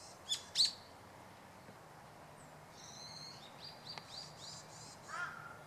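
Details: Meadow bunting (Emberiza cioides), Hachioji suburbs, 25 December 2012 in winter: two sharp loud high ticks, then a series of thin buzzy chips, and a lower short whistled note at the end.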